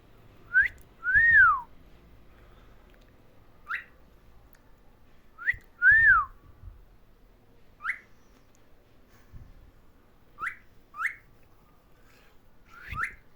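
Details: Cockatiel (Nymphicus hollandicus), whistled call.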